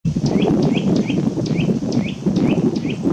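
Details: Eurasian nuthatch calling: a quick run of short, clear whistled notes, each rising then dipping, repeated about every half second, over a steady low rumbling background.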